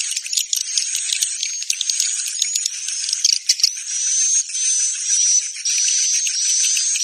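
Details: Swiftlet roosting call, meant for swiftlet houses: dense, high, buzzy chirps with thin whistled streaks running continuously, layered as if many birds call at once.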